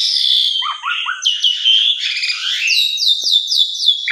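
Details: Javan pied starling (Gracupica jalla) song, played each morning as a lure to get stalled or stressed starlings singing: loud, varied shrill whistles and chattering notes, ending in a fast run of repeated descending whistles.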